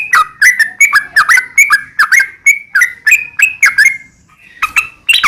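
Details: Sooty-headed bulbul delivering a long rapid-fire 'ropel' song, used to provoke other bulbuls to answer. Loud chuckling whistled notes run in a steady stream of about ten phrases. A short pause follows, then two more notes.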